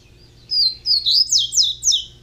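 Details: A juvenile double-collared seedeater gives one bright phrase: a thin whistled lead-in followed by five or so quick, sharply descending slurred notes, high-pitched and clear over a faint low hum.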